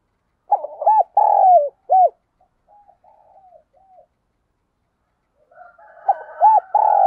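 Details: Decoy spotted dove used for luring wild birds: a loud phrase of rapid notes, a long coo and a short coo, then soft low cooing, and a second loud phrase starting near the end.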